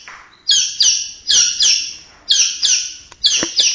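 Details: Indonesian white-rumped shama with good whiskers singing loud, high, falling whistled phrases in pairs, repeated roughly every half second with brief pauses between groups.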